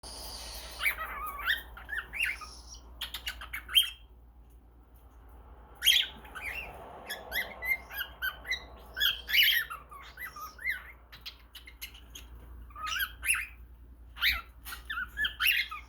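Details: A baby cockatiel named Junior, swinging, chatters in scratchy squeaks and squawks, mixing in imitated talking and kissing sounds.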